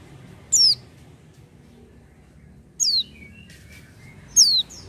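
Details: Pleci, the oriental white-eye, singing freely without doping: three bright, thin notes slurring steeply downward, each brief and separated by long gaps, with a faint low hum beneath.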